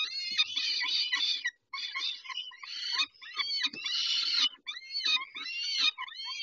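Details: Harsh, stuttering screams from peregrine falcons during a feeding at 11:48 on 19 May 2021, delivered in rapid bursts with arched, slurred notes and short silent breaks.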